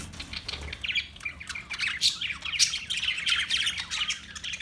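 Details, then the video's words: Steady parakeet chatter: overlapping high, scratchy chirps and squawks run throughout without real pauses. "Birds Parakeet Sounds Parrot Chirping Sounds"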